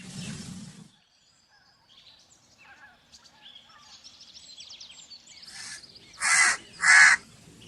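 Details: Scattered high chirps and twitters from small birds come first. Then a crow gives two loud, raspy caws about a second apart.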